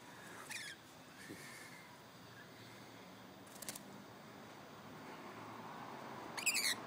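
A lorikeet gives three short, shrill, rasping screeches a few seconds apart over a steady background hiss.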